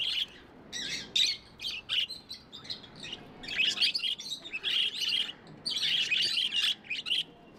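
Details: Pet budgies chirping in loud, bright chattering runs of scratchy squeaks and warbles, with short gaps between runs.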